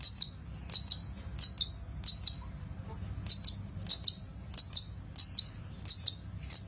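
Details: Long-tailed shrike, master recording for training birds: paired high, sharp ticking notes repeated in regular couplets roughly every two-thirds of a second over a quiet background.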